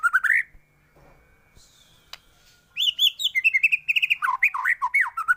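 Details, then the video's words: White-rumped shama song for tutoring other songbirds: a brief rising whistle, a quiet gap with faint clicks, then a lively stream of sharp chattered notes and swooping whistles. "MURAI BATU gacor full isian varasi paling cocok untuk masteran burung cepat bunyi gacor"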